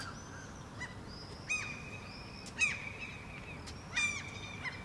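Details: Two Common Gulls in exchange, Helsinki, Finland, June 2013, the birds drawing closer; three louder clipped nasal calls spaced about a second apart, separated by thin sustained high whistles, over low background noise.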